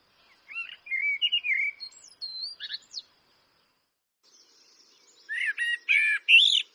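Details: Eurasian blackbird sings melodious, rising and falling fluted notes, then a few high squeaks. After a silent break, a harsher, buzzy, stuttering series of high notes follows.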